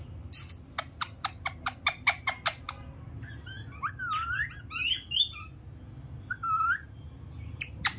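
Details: A pair of rose-ringed (ringneck) parakeets: a quick run of about ten sharp clicking chirps, then loud, harsh, swooping squawks and one clear falling whistle.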